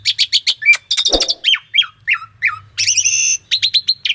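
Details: Caged Asian pied starling, recorded for training another starling to sing, delivering a quick series of repeated chip notes, downward-slurred calls and a sustained buzzy trill, then more evenly spaced chips.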